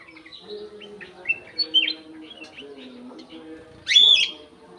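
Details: Aviary golden-fronted leafbird singing a run of brief whistled notes that builds to a loud, rich, rising-and-falling phrase near the end, with a low background hum throughout.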